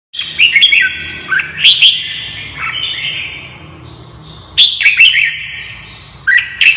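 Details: Red-whiskered bulbul, a caged bird provoked into fighting song, giving loud whistled phrases that dip and rise, in bursts near the start, middle and end with quieter warbling between.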